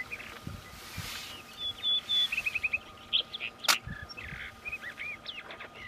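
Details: Young Rufous-tailed rock thrush, a bird of high mountain summits above the treeline: thin high whistles, a brief series of four or five rapid notes, and scattered chirps against a constant hiss.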